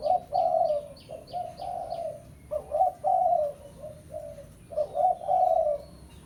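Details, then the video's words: Spotted dove calling a rival, the pesom type of lure sound used for ground trapping: three runs of deep, rolling coos, each a few notes long, over a quick series of thin high chirps from another bird early on. "Suara Pikat Tekukur Pesom - Tekukur Pikat Suara Memanggil Lawan"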